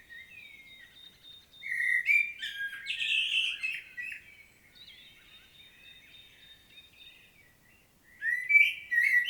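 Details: Common blackbird solo from Świnoujście, Poland, recorded 25 September 2022: after a faint steady high tone, loud warbling flute-like phrases with scratchy twitters, a pause, then a fresh rich phrase.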